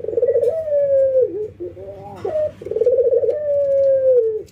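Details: Ringneck doves, a white albino bird against a local one, nodding and laughing during routine training: a rolling coo followed by a long, gently falling note, then a short break and the same phrase again, indoors.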